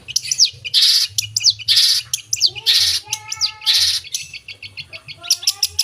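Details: Long-tailed shrike singing a full mimicry-filled song: loud harsh rasping bursts alternating with sharp high whistled notes and ticking series, about one phrase per second, with a low steady hum beneath.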